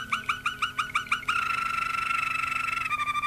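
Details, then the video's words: Malinois Waterslager canary singing a rhythmic run of short arched notes, about six per second, that changes into a long fast trill holding one pitch and then dropping slightly at the end. "malinois waterslager"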